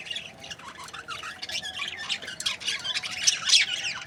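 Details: Budgerigars in breeding pairs give rapid, soft, high chirps and squeaky warbles that grow louder toward the end, over a faint low hum.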